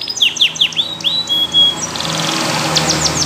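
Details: Yellow canary singing: a run of sharp down-slurred whistled notes, a brief sustained pure tone, then a fast, rolling buzzy trill to the end, with faint low hum beneath.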